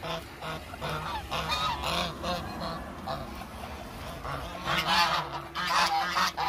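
A large flock of Muscovy ducks makes a dense, overlapping chorus of nasal, honking calls, with no pause and constant low background bustle.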